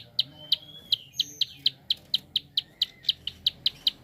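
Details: Prinia in quick clicking mode, played to stimulate other birds to sing; hard high clicks follow one another about four per second, joined by a thin drawn-out whistle early on and low hum behind.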